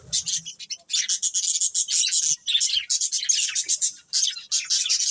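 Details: Budgerigar breeding pair giving fast, rasping chirps and twittering warbles in clustered bursts with short pauses between them, high-pitched and continuous throughout.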